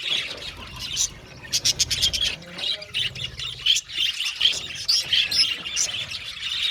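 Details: Budgerigar colony in an aviary: rapid bursts of sharp, high chirps come in quick clusters amid softer warbling chatter, with brief quieter gaps between the bursts.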